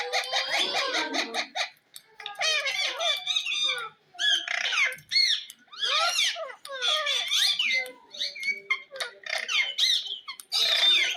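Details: Pet green ringneck parrot mimicking speech in a small room, delivering dense chattering phrases of high, scratchy syllables in bursts of one to two seconds, separated by short silences.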